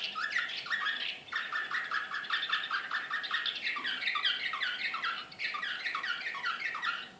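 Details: Loud, dense canary song from a Srpski Slavujar bird, Belgrade, 2014: fast chains of slurred whistles and rattles running almost without pause, broken by two short gaps.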